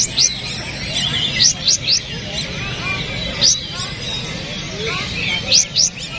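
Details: Kapas tembak bulbul song serving as training material: quick, high, upslurred whistles in groups of two or three, separated by pauses, over a hissy background with faint murmuring.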